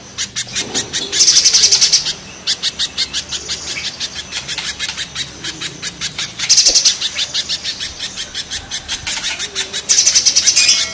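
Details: Harsh, rough calling of a mountain spiderhunter paired with a banana spiderhunter: fast trains of piercing high chips, interrupted three times by louder, tighter rattling bursts, with short pauses between runs.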